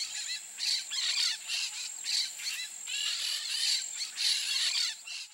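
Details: Peach-fronted parakeets (Eupsittula aurea) give harsh, scratchy screeches in quick bursts, several birds calling over one another, above a steady high insect drone.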